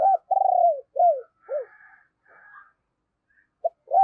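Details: Deep-voiced decoy spotted dove, calling to attract wild doves: a run of low burry coos, each falling in pitch, then a quiet gap before the next phrase begins.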